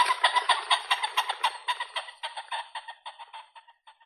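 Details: Common pheasant (Phasianus colchicus), call.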